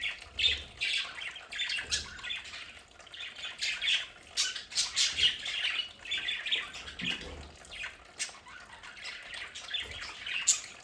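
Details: Budgies kept at home warble and squawk in a steady, quieter high chatter, many short scratchy notes overlapping, with occasional low knocks.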